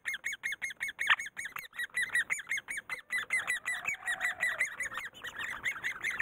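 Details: A great spotted woodpecker during breeding, raising young, gives a nonstop run of harsh, squeaky calls, about four or five a second, with a faint hum low beneath.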